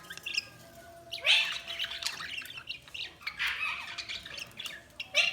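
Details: Budgerigars chirping: quiet start, then loud bursts of scratchy chatter and squawking warbles, with a soft steady whistle underneath.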